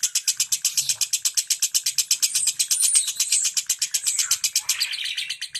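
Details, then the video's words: Lovebird in 'ngentik' song, played to encourage mute lovebirds to sing: steady, sharply pulsed high chirps in a fast regular series, with a brief thin whistle overlaid near the middle. "Suara Lovebird NGENTIK Rapat"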